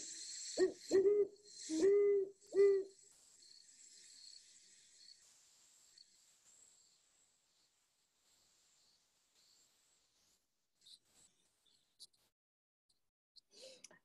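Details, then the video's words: A pair of owls calling to each other duet with four quick hoots in about three seconds, one voice slightly higher than the other, heard most evenings around dusk; faint high hiss and clicks follow. "you can hear that one is a bit higher pitched and the other is a bit lower pitch and they kind of do a duet with them so"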